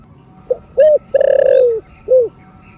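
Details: Single spotted dove phrase of the thổ rền style. A brief note leads into a round coo, a long throaty coo that slides downward, then a shorter closing coo. Faint whistled chirps rise high behind it.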